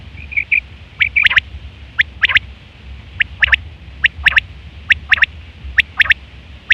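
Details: Calls of a female quail used as a trapping lure: a few high tonal notes, then sharp, clicking ticks in pairs and triplets, spaced roughly every second, over a quiet low hum.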